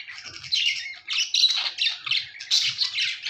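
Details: Budgies giving short, harsh chattering bursts and squeaky chirps, about three per second, with brief dips between phrases.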